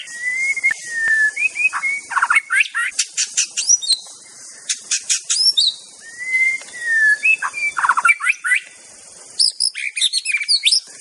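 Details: Aceh white-rumped shama in master-song recordings, singing clear drawn-out whistles that dip slightly, broken by rapid bursts of sharp ticking notes and high sweeping phrases. A faint steady hiss runs underneath.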